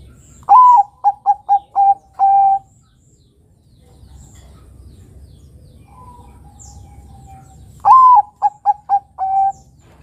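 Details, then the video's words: Lure song of a Bangkok zebra dove for young doves to learn. Two full phrases, each a rising coo followed by four rapid short notes and a long, level final coo. A faint, drawn-out coo sounds in the pause between them. "Pancingan Suara Burung Kutut Perkutut Bangkok Gacor Ini Mudah Ditiru Kutut Bakalan muda"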